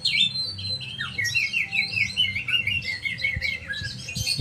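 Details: Oriental magpie-robin singing a rapid run of varied whistled and chattering notes, many sliding up or down, delivered almost without pause over a steady low background hum.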